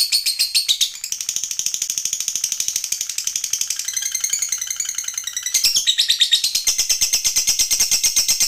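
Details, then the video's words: Lovebird's long ngekek trill, high rapid rattling notes with a change in texture midway, a grittier stretch, then the fast even trill resuming; recorded as master song material. "MASTERAN Love Bird MAHADEWI Ngekek Panjang"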